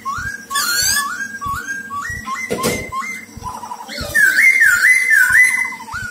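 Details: Silver-eared laughingthrush kept as a lure bird for trapping: short clear whistled notes rising and repeated about once a second, then a louder wavering warbled phrase, over a steady rhythmic low thumping beat.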